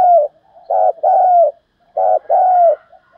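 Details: Low, hollow cooing from a spotted dove in the 'thúc giọng' style, used to excite decoy birds. A short stubby coo leads into a longer smooth coo that tails downward, twice, separated by a brief silence.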